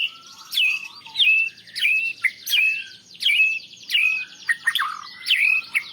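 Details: White-rumped shama repeating a loud whistled phrase about every seven tenths of a second, each a sharp downward slur ending in a short level tone, used as master song for training birds.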